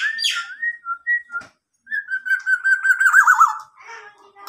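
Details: Local black-naped oriole, fully tame, mimicking a police siren: a sharp rising whistle and short clear notes, a brief pause, then a long held whistle that breaks into a rapid warbling wail, with a soft voice nearby.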